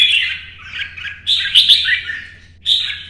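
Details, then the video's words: Competition-singing red-whiskered bulbul moving along its perch, delivering a continuous string of bright warbling notes that swell into louder fluty phrases, then a fresh burst near the end; low steady hum in the background. "CHÀO MÀO | Nắng sớm solo chạy cầu hót đấu kích chim"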